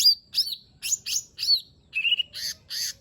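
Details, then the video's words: Lesser green leafbird song used as a lure to coax a reluctant, quiet bird into singing: a short burst of bright whistled notes and buzzy, slurred phrases in rapid succession, clear and high-pitched. "Cucak Ijo Mini 💯 Nembak Isian Bagus Buat Pancingan Jomin Malas Bunyi Agar Cepat Gacor"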